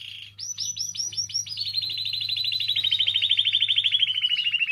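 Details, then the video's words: Singing canary meant to stimulate other canaries: a few swooping whistled notes give way to a long, fast, pulsing trill that slowly drops in pitch over several seconds; low background hum. "Canario Cantando. (Ideal para ESTIMULAR canto de canarios)"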